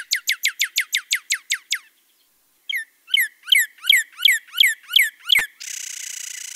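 Northern Cardinal singing two rapid phrases of clear, down-slurred whistles, about five per second, like little laser shots; a click and steady hiss end it.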